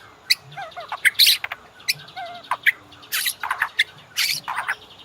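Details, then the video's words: Varied White-rumped shama song serving as a master recording for training caged birds: soft wavering whistles mixed with loud harsh bursts and scratchy notes, moderately quiet overall. "MASTERAN MURAI BATU; Cocok buat pancingan burung ngorak"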